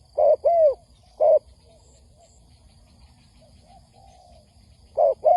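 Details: Spotted dove recording meant as a trapping lure: a paired coo and a single note open the passage, then a long near-silent gap with faint murmurs before another short-long coo pair.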